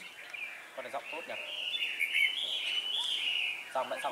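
Red-whiskered Bulbul giving a bright, continuous warbling run of chirpy notes. Short clicks and voice-like bursts come near the start and end.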